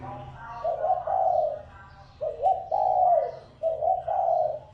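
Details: Cooing of a spotted dove used to lure wild doves: three mellow phrases, each a short lead note flowing into a longer wavering coo, over a low background hum.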